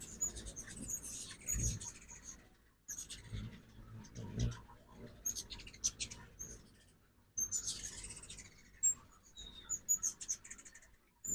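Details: Ruby-throated hummingbirds during fall migration at a backyard feeder in Oxford, Mississippi, morning; clustered high chattering chips in three spells separated by near-silent pauses, with faint low bumps.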